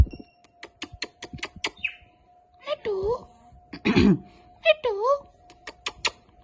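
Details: Indian ringneck parakeet kept as a pet, mimicking words such as "Allah hoo"; a few spoken-sounding, wavering syllables come between crisp clicking taps, with a low background hum in a small room.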